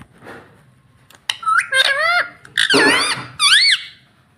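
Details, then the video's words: Green ringneck parakeet indoors giving a few squeaky, upslurred calls with rich overtones, starting quietly and growing louder in three separate bursts over four seconds. "original Sound Ringneck Green"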